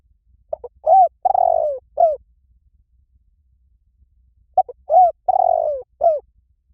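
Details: Spotted dove call played as a lure to train other spotted doves to call back: two clean phrases of a short note, a rising coo and a long drawn falling croo, then a final coo, about four seconds apart, otherwise quiet.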